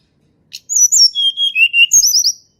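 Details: A Sunda robin sings in the wild; the recording serves as a lure for reluctant singers. After a click come high descending notes, steady drawn-out whistles, and a final burst of quick wavering high notes.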